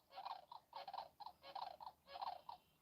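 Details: Distant Sandhill Crane on a sheep ranch in the morning, giving rolling, rattling, trumpet-like calls in four quick bursts, roughly one every three-quarters of a second, with a faint outdoor hush behind.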